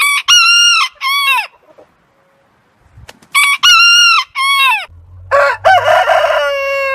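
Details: Backyard rooster among heritage breeds gives clear arched crow phrases in two bouts, followed by another bird's longer, level crow over a low hum.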